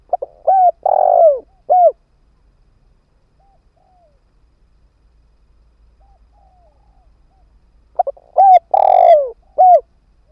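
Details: Ground-decoy spotted dove calling to pull in wild birds: two full cooing phrases roughly seven seconds apart, each stuttering notes, a drawn-out coo and a sharp ending note, with quiet in between.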